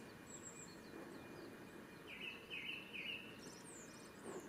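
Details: A male Japanese Thrush at Ōbora spring, Lake Yamanaka, Japan, on 3 May 2017 sings three rich, slightly buzzy whistled notes in a row, preceded by a thin high note, with quiet ambience.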